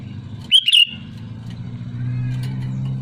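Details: One bubbly two-note whistled phrase from a sooty-headed bulbul calling to rivals, followed by a growing low rumble like a passing vehicle.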